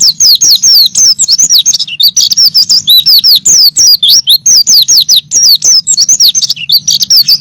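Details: White-eye singing nonstop, recorded to train songbirds: an unbroken stream of rapid, high, slurred chirps and trills, bright and jumbled, with a quiet low hum underneath.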